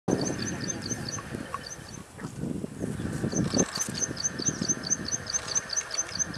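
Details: Plain Prinia (Taiwan subspecies Prinia inornata flavirostris) at Dianbao Creek, Taiwan, 2 June 2019, giving a rapid series of thin, high, ticking notes, several per second, over a steady low rumble and some background murmuring.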